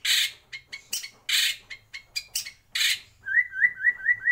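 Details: White-rumped shama in a breeding aviary: harsh noisy bursts mixed with short clicks and notes, then a run of five quick, repeated whistled upslurs.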